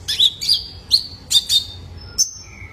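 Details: Juvenile male Ruby-cheeked Sunbird (kolibri ninja) lure sound for cage-bird training: a handful of buzzy chirps, each trailing into a level thin whistle, ending with a single high note and a lower whistle.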